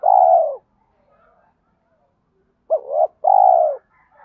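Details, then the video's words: Spotted dove used as a decoy, its 'giọng thổ' voice mixed with 'thúc đấu' challenge calls to bring wild birds in fast. A long mellow coo ends one phrase, then a hooked note and a sustained coo follow after a pause. "chim cu gáy giọng thổ pha thúc đấu rút bổi nhanh về"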